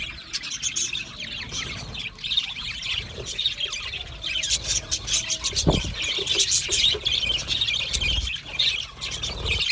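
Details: Budgerigars from Australia chattering with high, rasping chirps and squeals in a steady stream, a single low thump partway through.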